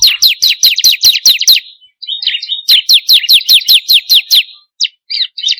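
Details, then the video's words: Bar-winged prinia (ciblek kristal) lure recording: two rapid runs of shrill downslurred chirps, about nine notes each, separated by a brief jumble of softer notes, ending in scattered chirps. "pancingan burung ciblek kristal paling ampuh || mp3 burung ciblek"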